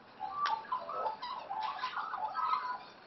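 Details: Wild Australian magpies, raised by their own parents, playing together; a short burst of soft, squeaky, chattering warbles with quick rising and falling notes, some sharp clicks, and brief pauses between phrases.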